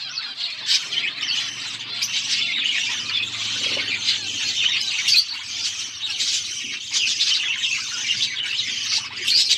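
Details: Budgerigars eating chatter without pause, a thick wall of high squeaky chirps and warbling squawks.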